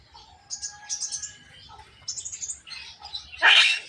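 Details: Javan myna talking and coughing, with high scratchy chirps and a thin held tone, then a sudden loud broad harsh burst like a cough at the end.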